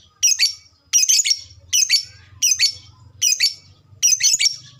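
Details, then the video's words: Lovebird kept as a fighter bird uttering harsh, scratchy high squawks in clustered bursts, about six in under five seconds, evenly spaced; faint low hum in the background. "SUARA BURUNG LOVEBRID TERCEPAT, bikin cepat respon ngekek"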